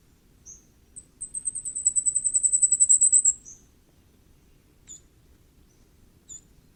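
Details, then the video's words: Common firecrest with a few isolated high chips, then a two-second string of rapid, very high, shrill notes that climbs in loudness before ending. A few more sparse chips follow. "火冠戴菊的叫聲/Sound of Common Firecrest"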